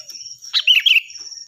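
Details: Sooty-headed bulbul in full song, loud and clear, recorded as a tutor for training other birds: one short burst of bubbly, warbled notes dipping and rising, over a steady high-pitched whine.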